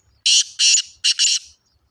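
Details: Black francolin giving four loud, harsh, grating notes grouped in two pairs, each note about a tenth to a fifth of a second long, the whole phrase over in about one and a half seconds against a quiet background.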